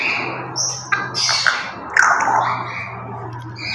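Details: Pet grey parrots at play during a noisy morning routine, giving harsh squawks with short bright whistled notes in bursts over a steady low hum.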